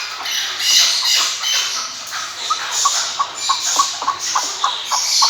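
A chukar gives a quickening series of short, clucking chuck notes, several per second, over a steady broad hiss of wind or insects.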